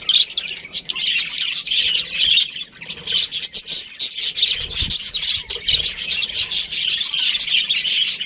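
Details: Continuous high-pitched twittering and squawky chatter from a breeding pair of Australian budgerigars, with faint low knocks around the middle.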